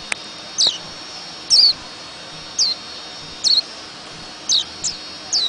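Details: White-eye in the ngerol ngalas style giving about seven sharp, high, downward-slurred chirps at uneven intervals of roughly one second, with a faint click at the start and constant background hiss.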